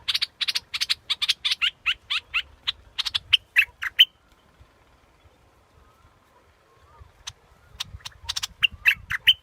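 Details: Scarlet-backed flowerpecker calling in quick series of dry, high clicking chips that slow and soften before a pause of quiet with faint distant whistles, then a fresh burst of sharp ticks.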